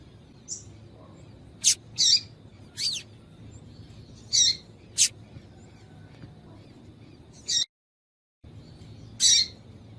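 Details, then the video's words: Female double-collared seedeater calls meant to excite a male into song: scattered high, clipped chips and brief slurred notes, some in quick pairs, with a short silent break near the end and faint hum beneath. "Piado de fêmea de Coleiro para Esquentar Coleiro frio"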